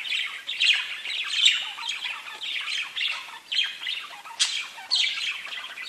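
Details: Parakeets chirping and chattering to each other in a near-continuous run of grating chirrups and warbles, broken by an abrupt high squeal toward the end.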